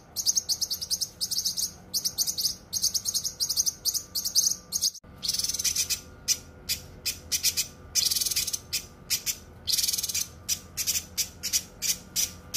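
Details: Cucak kinoi in a dense, sharp tutor recording for training songbirds: rapid high buzzy trills in bursts, a brief silent break near five seconds, then choppy chattered phrases with short gaps.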